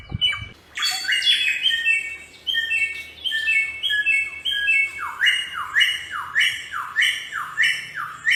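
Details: Bare-throated Whistler (samyong), an Indonesian bird endemic to Nusa Tenggara, singing in the wild: a varied opening of high notes, then loud descending swept whistles repeated roughly every half second in a steady series.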